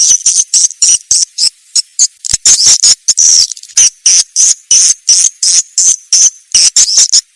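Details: Swiftlet sound from Indonesia, meant for swiftlet farmers: loud, rapid, buzzy chattering pulses in dense bursts, broken by brief pauses, very high and harsh throughout.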